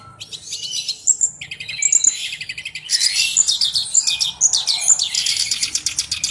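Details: Black-browed reed warbler singing actively, kept as a tutor bird for training other songbirds; dense, scratchy, rapid chattering phrases with high buzzy notes, fast and irregular, pausing briefly near the start and after two seconds.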